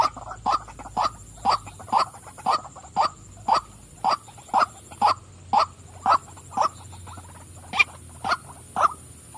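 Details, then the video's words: A female white-breasted waterhen keeps up a regular string of harsh croaking notes, just under two per second, against a low steady hum. "burung wak wak betina suka memanggil"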